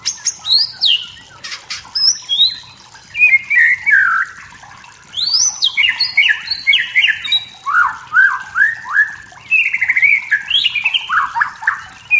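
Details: Forest-dwelling wild white-rumped shama singing to provoke rivals: a long, rich stream of whistled phrases with steep falling slurs, high and low notes alternating, and brief pauses between runs.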